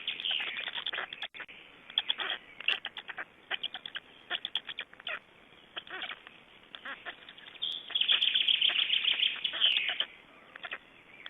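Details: Black storks in Estonia at a nest during feeding, 22 May 2012: rapid, rough, nasal chattering calls in irregular bursts, with a denser run of harsh notes near the end.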